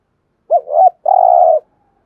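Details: A single 'thúc gù' phrase from a spotted dove: a bouncing double note sliding up and down, then a long level coo, clean and close with silence around it.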